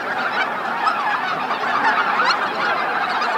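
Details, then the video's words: Large flock of greater white-fronted geese coming in to roost at Miyajima-numa, Bibai, Hokkaido, Japan, in 2016, giving many overlapping nasal honks, with some higher yelping notes standing out from the constant chorus. "宮島沼のマガン ねぐら入り - 美唄市 2016 White-Fronted Geese in Miyajima-numa"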